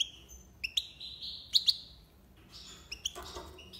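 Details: European goldfinch singing in the style called tiwawati, with short bright whistled notes and a sustained high tone, then scattered chirps over a faint low hum.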